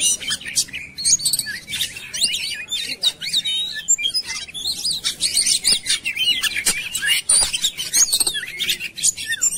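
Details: Oriental magpie-robin song played as a lure: long continuous chatter of quick high chirps, slurred whistles and trills, dense and overlapping for the whole stretch.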